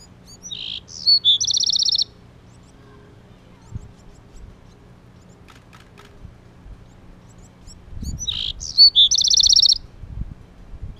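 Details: Two matching phrases from a male Bewick's wren defending his nest, about seven seconds apart. Each has high buzzy notes, a brief whistle and a quick rattling trill, with faint low rumbling between them.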